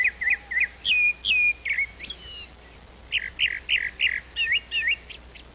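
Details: Grey-backed thrush feeding her young, giving quick runs of clear, slurred whistled notes, several per second, then a pause and a second burst ending in thin high chips.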